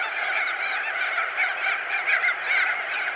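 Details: Crested auklets, thousands perched and wheeling over a colony: a dense, unbroken din of honking, chattering calls blending into one steady roar with no pause.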